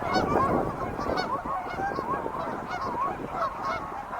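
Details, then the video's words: Wild geese calling as a flock, a dense chorus of overlapping nasal honks, rapid and continuous throughout with no pauses. "sounds of wild geese"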